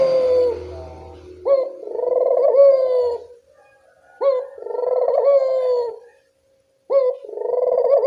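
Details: Barbary dove at evening, its call serving as a lure to get silent doves cooing: three rolling coos, each a brief rising note then a long vibrating purr, with a short low hum at the start.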